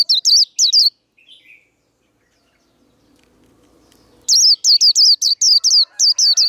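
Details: Japanese white-eye singing its fighting song to stimulate caged birds: two high whistled notes, a long silence, then a fast, sustained run of around ten shrill, kinked whistles.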